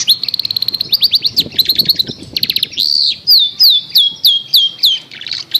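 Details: A long-tailed shrike singing, as a lure for a shrike that has gone quiet: fast chattering chips lead into a varied run of clear, downslurred whistles repeated about every half second.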